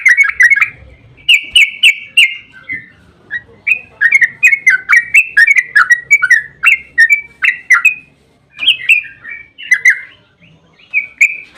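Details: Yellow-vented bulbul in lively 'gacor' song, played to make other bulbuls respond at once. A bubbly phrase opens, then a long string of separate whistled, slurred notes, some rising and some falling, comes in uneven bursts.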